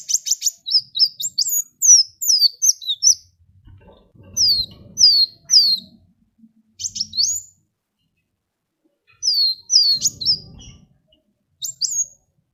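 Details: Sunbird (kolibri wulung) singing energetically, used to prompt other birds to sing: bursts of thin high whistled notes, each sliding down, in rapid clusters separated by short pauses, with faint low rustling.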